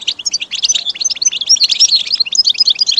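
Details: Goldfinch song meant for training caged birds: lively, tinkling chatter of quick high notes and small whistled slurs, packed closely with no pauses.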